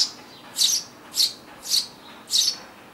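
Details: Eurasian tree sparrow from a family nesting in a garden nest box, summer 2012, gives four high, harsh chirps, about one every half second, against a quiet background.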